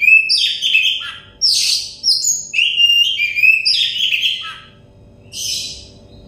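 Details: Therapy song of the Oriental magpie-robin, called kacer, meant to make a stressed bird sing freely: almost unbroken rich, varied phrases of clear whistles, slurred notes and harsh chatters, ending with a short burst after a brief pause.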